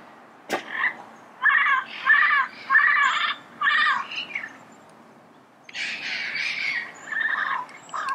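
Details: Red-crowned amazon recorded in early morning in Pasadena gives loud, harsh squawks in a run of about five, roughly every half second, then a longer rasping burst of chattering calls.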